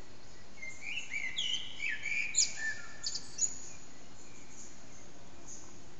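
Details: A common blackbird sings at around 4:40am in an echoing backyard, recorded with an HTC Desire phone, the singer out of sight. A rich phrase of fluted descending whistles runs into sharp high twitters, then steady background hiss.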